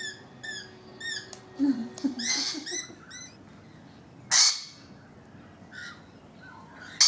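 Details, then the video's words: Rainbow lorikeets visiting a balcony: a run of quick, squeaky descending chirps, then rasping screeches and a sharp, harsh burst, with brief quiet gaps between. "Balcony Birds EPISODE 1: Rainbow Lorikeets"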